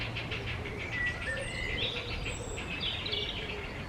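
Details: Grey heron (Ardea cinerea) chicks in their nest, awaiting a parent's arrival, keep up harsh, rapid, clacking begging calls that swell in bursts, over a steady low rumble of wind or background noise.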